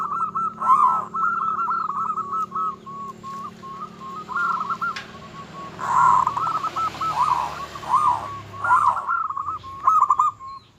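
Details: Local zebra dove singing steadily, a song said to rouse rival doves: long, nearly unbroken strings of soft, quick coo notes with occasional louder bubbling accents and a faint background hum.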